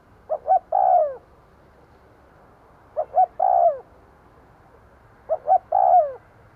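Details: Spotted dove kept as a decoy, cooing to lure wild doves: three phrases about two and a half seconds apart, each two short soft coos then a longer, louder coo that falls in pitch, over faint background hiss.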